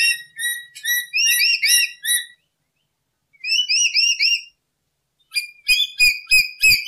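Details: Lory song recorded as a one-hour lure for trapping: loud, harmonic-rich whistled notes in quick rising-falling bursts, several phrases separated by brief silences, with a few low knocks at the end.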